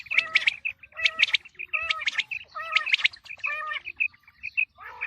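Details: Quail calling ahead of the wheat season: repeated grating bursts with a stacked, nasal tone about once a second, interleaved with quick thin chirps, forming a busy, overlapping chorus.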